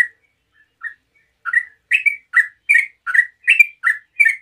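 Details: Rapid 'ngeropel' song of a yellow-vented bulbul, meant to draw replies from other bulbuls. It starts with sparse chirps, then becomes a steady run of clear, slurred notes that alternate between higher and lower pitch.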